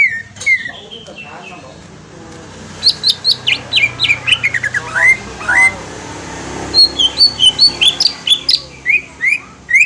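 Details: Green leafbird lure song, Kalimantan type: falling whistles, a pause, then rapid bursts of high sharp notes and slurred phrases repeated more than twice per second.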